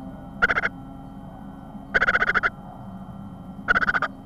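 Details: Nest-box great tit nestling begging during its first feedings, 25 April 2010, 14:16: three quick rattling bursts of chirps, each about half a second long, separated by quieter gaps with a faint hum.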